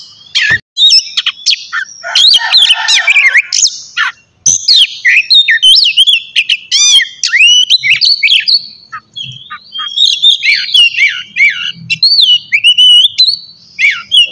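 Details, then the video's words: Oriental magpie-robin pouring out a long morning song to stimulate singing in other magpie-robins: rich varied whistles, trills, harsh chatter and looping slurred notes, nearly continuous. "terapi pagi cocok buat mancing kacer agar cepat gacor dan bukor"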